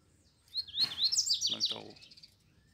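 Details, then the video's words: Double-collared seedeater, caged and carried in hand near a wild one: a short high, zigzagging phrase of sharp notes over a man's voice talking. "DOIS COLEIROS CANTANDO DE GAIOLA NA MÃO E O MATEIRO SOLTO MANDANDO VER!!!"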